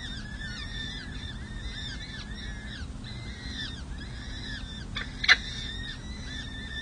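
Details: Peregrine falcon chicks, four of them six and seven days old, calling at a city hall nest in San Jose during a May 2024 feeding: repeated thin, arched wailing notes in a steady stream, one sharp click, over a constant low hum.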